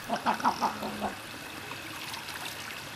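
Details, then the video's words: King eider in courtship display gives a quick run of four or five soft, crooning, dove-like notes in the first second, followed by quiet background hiss. "king eider en parade"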